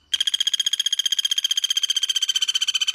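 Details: Songbird training recording of Pelatuk Bawang or Cililin: a rapid, steady, rattling trill of evenly spaced buzzy pulses on a single mid-high pitch lasting about three seconds.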